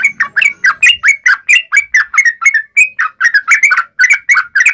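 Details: Yellow-vented bulbul fighting song played to draw a reply: an even series of short, slurred, liquid notes, about three or four each second, on a clean background.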